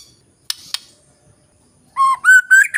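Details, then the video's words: White-rumped shama song used as a lure to prompt reluctant birds to sing; two sharp clicks, a pause, then loud, pure whistled notes stepping upward in pitch, the last ones ending in brief rising flourishes. "Pancingan MURAI BATU Bahan Malas Bunyi Paling Cepat direspon"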